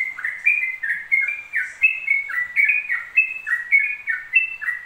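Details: Yellow-vented bulbul in fast, nonstop ropel song: chattering whistled syllables that drop and climb in pitch, repeated several times a second in a clean, quiet setting.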